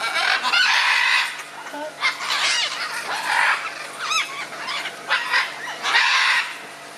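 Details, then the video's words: Scarlet macaws exchanging views with grating screeches in bursts, mixed with shorter rising and falling squeaky notes around the fourth second, then two more long rasps. "Ara arakanga - výměna názorů"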